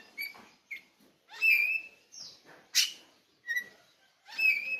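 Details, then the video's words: Oriental magpie-robin (kacer) from Bali, Pupuan, singing a varied series of clear whistled phrases and short chirps, with bright slurred notes and brief pauses between bursts. "kicau kacer bali , pupuan."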